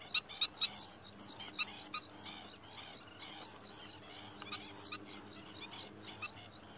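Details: An Oriental pratincole feigning injury to distract a predator from its young gives a distraction call of sharp, high, clipped notes, singly and in quick bursts of two or three, over a busy chatter of other birds.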